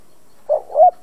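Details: Spotted dove decoy cooing to provoke other doves: two soft, low, muffled notes in quick succession, the second slightly louder and longer.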